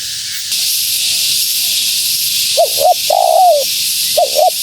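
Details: Female spotted dove cooing to draw in wild doves: after two quiet seconds, a pair of short hooked notes, then a long, gently falling coo and another quick pair. Constant high hiss throughout.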